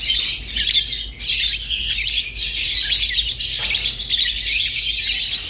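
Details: Rosy-faced and Fischer's lovebirds produce loud, grating twittering, with stronger chirp bursts in the first two seconds and a steady high chatter afterwards.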